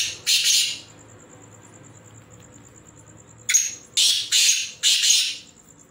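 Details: Captive black francolins calling: one harsh grating burst, a pause, then three loud rasping notes in quick succession, with a steady thin electronic whine throughout.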